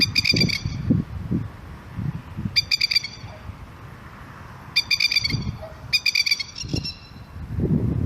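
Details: Masked plover with family calling in alarm to protect its chick: loud rattling bursts of fast, harsh 'kekeke' notes, about five series, over intermittent low thumping and rumbling background noise.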